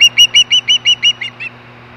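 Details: Osprey at Hellgate in 2014, back on the nest and calling at 5:24 PM MDT: a quick run of about eight high, clear, chirping whistles, evenly spaced, then two softer, fading notes over a steady low hum.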